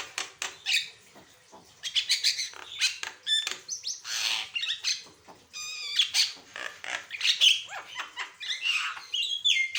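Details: Javan myna singing constantly in a varied style, used as a master recording to prompt other birds: dense, restless chatter of scratchy squawks, clicks and short high whistled phrases.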